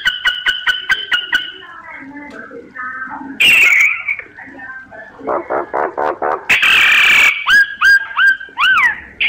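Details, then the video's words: Myna pours out a row of quick ringing notes, soft low warbles, a harsh rasping burst and throaty pulses, then a loud buzzy phrase and several curved, swooping whistles. "Tiếng chim Sáo hót giọng chuẩn hay"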